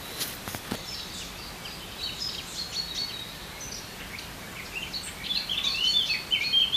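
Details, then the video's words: Common kingfisher with a sharp, piercing voice. Scattered thin high notes build to a loud, rapid cluster of shrill whistles at the end, over steady background noise. "Martintxoa (Alcedo atthis)"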